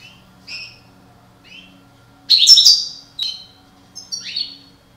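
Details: European goldfinch of the parva subspecies, one of a breeding pair: soft two-tone chirps at intervals, then a loud harsh buzzy burst followed by sharp twittering notes.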